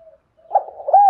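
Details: Decoy spotted dove in the morning, heard in a brief fragment: faint soft notes build into one strong arched coo that ends abruptly.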